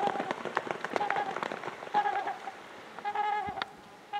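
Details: Territorial trumpeter swans chasing off an invading pair give short, horn-like honks, with a longer nasal trumpet near the end, over splashing water.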